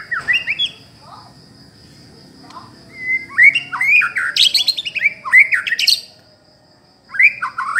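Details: Long-tailed white-rumped shama singing: varied whistled phrases, rising slurs and rapid rattling bursts climbing high, with pauses between, over a steady faint high tone.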